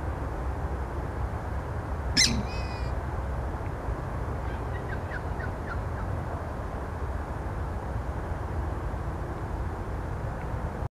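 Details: A purple swamphen (Porphyrio porphyrio) gives one loud, harsh, nasal shriek, followed by a few faint clucks over a steady low rumble of wind or distant noise.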